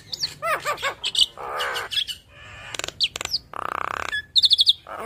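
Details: Javan myna, yellow-eyed, chattering through its learned phrases: bouncing arched chirps, two harsh grating buzzes and a fast burst of high ticking notes.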